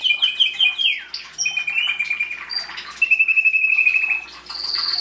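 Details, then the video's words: A canary sings loud, rolling trills, a fast stuttering series that slides downward, then long even buzzy trills held at one pitch before a high final trill. "Canary singing"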